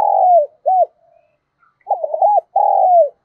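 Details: Lure spotted dove cooing to attract wild birds: a long falling coo, a short arched note, then after a pause a fluttering note and another drawn-out descending coo, mellow and low.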